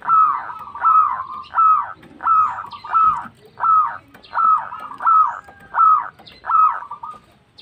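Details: Local zebra dove calling to others, a lure recording: a steady series of about ten mellow cooing notes, each slightly rising then falling, repeated under a second apart with no other sounds.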